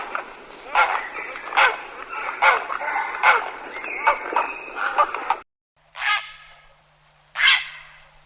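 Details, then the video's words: Grey heron calls, played as a hunting lure to attract birds: a busy run of harsh, overlapping croaks for about five seconds, then a short silence and two separate rasping calls. "Grey Heron call sound"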